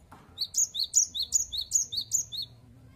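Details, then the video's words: Gelatik batu (cinereous tit) singing actively in its 'wucit wucit' style: a quick run of about eight high, sharp two-part whistled notes, each dropping then flicking up, delivered over two seconds in a quiet setting. "Gelatik Batu Gacor Wucit Wucit Suara"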